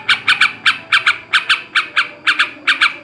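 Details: Male yellow-vented bulbul, or trucukan, chattering in ngekek garuda style: harsh nasal notes in evenly spaced pairs, a little over two pairs per second.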